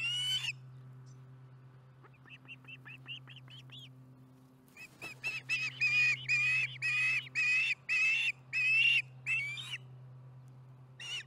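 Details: At a Charlo nest, an osprey calls during dinner on a July 2019 afternoon: a soft run of thin rising peeps, then a louder series of strong, evenly spaced whistled yelps, nearly two a second, over a low electrical hum.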